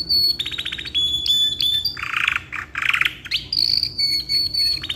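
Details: Caged ngeroll black-red canary giving long gacor song suited to tutoring: fast ticking trills, a whistled level note, two buzzy low rolls, then a long high whistle and more rapid trilling.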